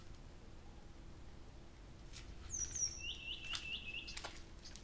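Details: Nightingale in nighttime song, Abramtsevo, early June, recorded from 23:00 on 6 June 2021: a thin descending whistle, then a quick trill of about five short upslurred notes, set against a quiet background.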